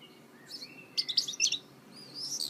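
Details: Goldfinch mule, a goldfinch hybrid, giving brief high twittering song fragments: a thin rising whistle, then a quick burst of sharp chirps and a buzzy note over quiet background hiss.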